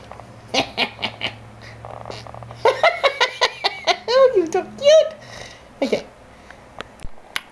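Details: A 2-year-old female Quaker (monk) parakeet blows a string of short, sputtering raspberries with buzzy bursts and squeaky rising notes; the owner says she also says "I love you". A woman talks and coaxes her between bursts.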